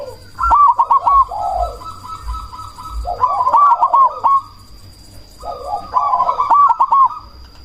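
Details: Cemani zebra dove, a loud, lively bird used as a lure to provoke rival doves to answer and raise breeding drive. Three cooing phrases, each a quick run of clipped, hooked notes then a lower slurred coo, over a steady high whine.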